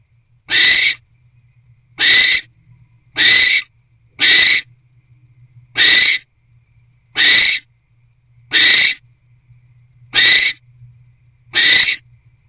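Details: Wild barn owl pair in an owl box on a January 2024 night, the male arriving with food before mating. Nine short, rasping hiss-screeches repeat at uneven intervals of about one to one and a half seconds, with silence between.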